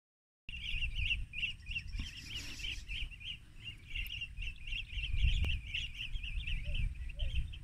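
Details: Rufous-crowned bee-eaters at Banna, Ilocos Norte, Philippines, on 19 March 2021 at 14:30, digiscoped with a phone and spotting scope: continuous rolling, trilled high chirps repeated in quick bursts, with low wind rumble and an occasional click.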